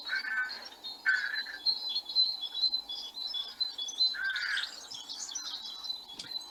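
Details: Great tit song played as a learning example, a simple two-part phrase likened to 'teacher, teacher, teacher', given in short runs with pauses; high bright notes repeat through the recording while rooks call in the background.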